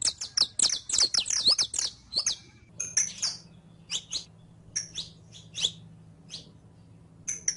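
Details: Captive saffron finch, a canario criollo, in training audio meant to teach a caged bird to sing: bright high chirps and sharp descending notes in a quick run, then spaced single chips with a low hum beneath.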